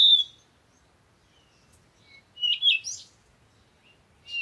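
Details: Parakeet giving sharp high chirps: a short bright burst at the start, a busier twittering cluster in the middle, and a final rising chirp, with quiet gaps between.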